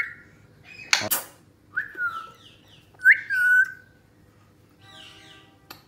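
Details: A tame young grey parrot (Psittacus erithacus), about 9 months old, in Karachi, gives two clear, falling whistles a second apart, with a rough squawk before them and a faint nasal call at the end.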